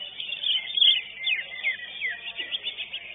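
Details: Greater green leafbird that won first place at a songbird contest arena sings a fast, varied stream of high whistles, rapid rising and falling sweeps and chattering notes, packed closely together with no pauses.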